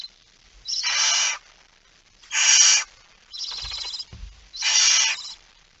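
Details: Barn owl at an It Fryske Gea site, 17 September 2019 at 06:11, with a mouse: four long, harsh, breathy hissing screeches, each about a second long, spaced every one to two seconds, with a faint thump between them.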